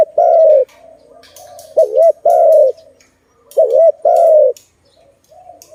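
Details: Malay or zebra dove at a trapping site, with trapped doves released; a long falling coo, then two phrases of a wavering double note and a drawn-out descending coo, against quiet murmuring coos in the background.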